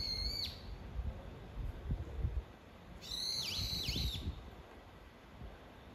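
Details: A brown-eared bulbul calls to its mate. A brief shrill note opens the sequence, then a longer strident squeal swoops down twice in V-shaped dips amid faint low background rumble.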